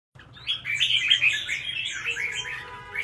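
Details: Red-whiskered bulbul, a caged songbird kept for singing contests in Vietnam, delivering a rich run of warbled, whistled phrases in quick succession, bright and slurred, with faint high chirps layered above.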